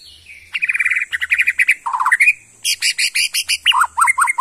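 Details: Fast, vigorous phrase from a Bornean white-rumped shama, Kalimantan forest origin: rapid runs of repeated chipping notes at several pitches, each burst about a second long, with a brief rising slur between.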